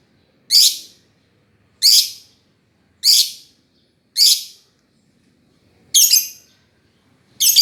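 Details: Lovebird chirping with shrill, scratchy single chirps about once every 1.2 seconds, six in a row, each a short harsh burst separated by silence.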